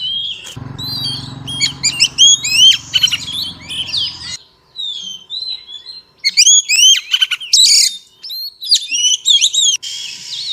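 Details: Singing female Oriental magpie-robin, used to stimulate males: rapid sweet whistles and clipped chirps in two bursts, with a short pause between them. A low droning hum underlies the first half.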